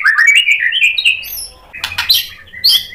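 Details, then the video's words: White-rumped shama singing at full energy in reply to a rival fighter. Quick rising whistled notes come first, followed by high thin squeaks and scratchy, chattering sounds. "MURAI BATU GACOR bikin EMOSI NYAUT FIGHTER jadi BONGKAR ISIAN | PANCINGAN MURAI"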